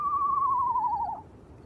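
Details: At night by a river in moonlight, an Eastern screech owl perched on a tent, calling for about 20 minutes, gives a single quavering, whistled whinny that slides gently downward for just over a second, then trails off over faint hiss.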